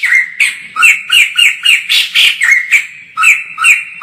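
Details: A white-crested laughingthrush, filmed from afar, gives a fast, rhythmic volley of loud, grating, squawking notes, each rising then dropping, with one brief lull before the chattering resumes.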